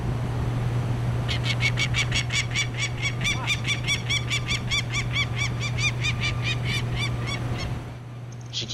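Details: A female Peregrine Falcon, angry while defending her nest on a Hamilton, Ontario hotel rooftop during chick banding in 2009, gives a harsh, grating kak-kak-kak, about seventeen rasping notes in six seconds, over a steady low mechanical hum.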